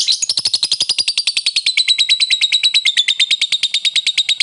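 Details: Ngekek chatter from a lovebird calling out a rival and stirring other lovebirds' emotions: a continuous, very rapid string of shrill metallic notes, slightly falling in pitch throughout.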